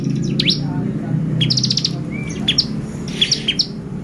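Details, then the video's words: Bar-winged prinia lure song meant to excite other prinias: quick chirps, a short buzzy trill, a soft whistle, then scattered sharp high notes, with a constant low hum behind. "PANCINGAN CIBLEK GACOR bikin burung ciblek EMOSI !!"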